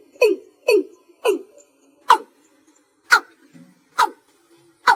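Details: Watercock at night, single-note gà thúc chậm calling: three full, throaty notes half a second apart, slowing to four crisp knocks about a second apart, with a faint low murmur between them.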